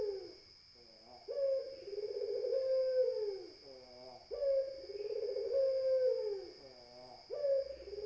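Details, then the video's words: Barbary dove repeating a soft rising note and then a lengthy rolling coo, three times, with brief gurgling notes between phrases and a steady high hum in the background. "SUARA PUTER"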